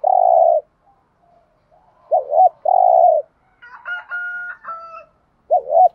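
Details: Decoy spotted dove calling to excite other doves, in the thúc gù and gáy gọi styles: long low hoos alternating with hooked double coos. A higher, harmonic crowing-like call from another bird sounds in the middle.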